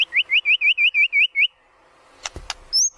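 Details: Training lure of a white-rumped shama: eight quick rising, slurred whistles in a steady run, then a short pause, two clicks and one high thin note.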